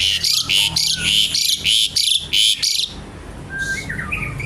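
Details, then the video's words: Javan pied starling singing a loud chattering song, rapid harsh buzzy notes repeated about three times a second for nearly three seconds, then softer scattered whistles. "jalak suren gacor kretekan nggaruda"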